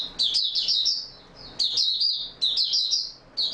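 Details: Oriental white-eye (Mata Puteh) singing in stable form, recorded 28 February 2022: bright, high twittering phrases with rapid slurred notes, delivered in bursts of about a second separated by short pauses.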